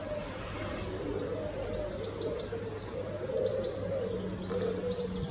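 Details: Grey wagtail fledgling in Norwich, 10 May 2017, giving thin, very high, sharp calls: short slurred notes scattered irregularly through the clip over a steady low urban hum.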